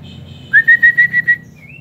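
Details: Kept white-rumped shama in an aviary, giving a series of six clear whistled notes at steady pitch, evenly spaced, followed by a short soft rising whistle; low background hum.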